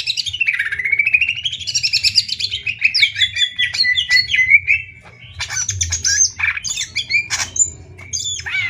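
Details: Greater green leafbirds from Banyuwangi and Kalimantan competing: a long wavering whistled run descending then rising, followed after a brief drop by loud harsh rasping bursts and sharp slurred notes.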